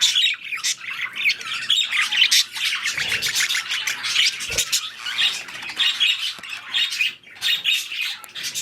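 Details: Mating and breeding budgerigars produce lively high warbling chatter, with scratchy trills and bright chirps in uneven waves, barely pausing.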